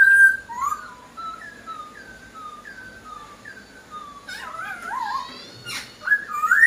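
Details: Captive masked laughingthrush (poksai Hongkong) in full song: a series of short whistled slurs repeated about twice a second, then a louder burst of warbled, wavering whistles and a sharp noise near the end.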